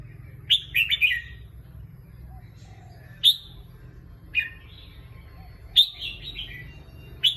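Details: Caged red-whiskered bulbul singing: bright, quick warbled phrases of a few slurred notes, delivered in short bursts separated by pauses of one to two seconds, over a low steady hum.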